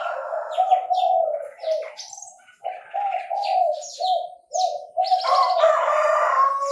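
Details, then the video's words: Chinese francolin calling in a bird-trapping setting: loud, harsh, banded phrases repeated in quick bursts, with brief high chirps from other birds scattered over the top. "Tiếng chim ĐA ĐA gáy"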